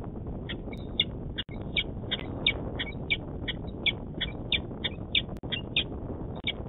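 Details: Male peregrine falcon at a nest-site camera in Manchester, New Hampshire, 26 February 2018: rapid series of short, harsh chipping calls, about three per second, over a steady low rumble of wind or traffic.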